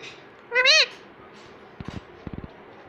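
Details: Pet talking ringneck parrot: one short, loud, nasal, harmonic voice-like syllable with a wavering pitch, followed by faint soft clicks and taps in a quiet room.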